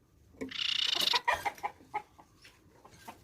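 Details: A grey-cheeked tit-babbler, known locally as pipi perak, sings persistently. A harsh, dense buzzing burst runs for about half a second, followed by a string of short, clipped mid-pitched notes that fade into quieter chatter.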